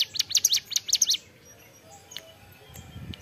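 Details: Ceplekan song from a hill prinia (ciblek gunung): about a second of rapid, piercing high chirps, then near silence with a few faint clicks.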